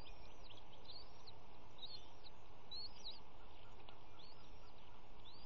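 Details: Three bald eaglets at an early morning feeding on a nest cam over a pond, March 18, 2018, both parents present; thin, high chirping peeps arching up and down in quick overlapping series, over a steady low rumble of background noise.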